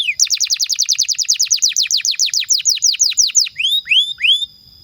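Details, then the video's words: Canary in full song, played as tutor material for young canaries and birds that have stopped singing: a fast, even roll of downward-sweeping whistled notes, roughly seven per second, slowing into three drawn-out rising slurs. "PANCINGAN Kenari GACOR PANJANG INI Cocok untuk Masteran KENARI PAUD dan Kenari Macet BUNYI"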